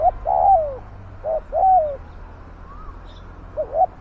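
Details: Decoy spotted dove luring wild doves, uttering paired coo phrases: short hoots leading into a long, sliding descending note, repeated twice, with a faint rising whistle from a distant bird between phrases.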